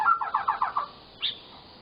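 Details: Murai batu, the white-rumped shama, singing a gacor full-fill phrase meant to stir silent birds: six fast rolling repeated notes, a brief pause, then one high rising whistle.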